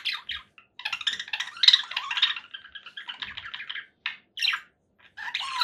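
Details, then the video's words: Conure parakeet chattering with a long raspy warble, then a few separate sharp squawks and a rising final note. "7 hours of relaxing conure parakeet sounds"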